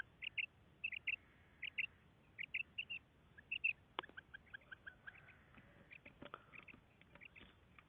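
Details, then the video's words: A female quail, recorded as a hunting call, gives short, high, paired notes in quick succession, about two a second, with sharp clicks and knocks joining in during the second half. "Female Quail Calling karkari Maadi Ki Awaz"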